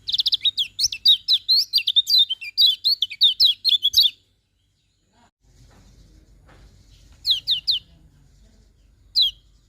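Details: Morning song of a Lemon-bellied white-eye: a fast, continuous burst of high warbled and twittered notes for about four seconds, a pause, then two short twittering bursts.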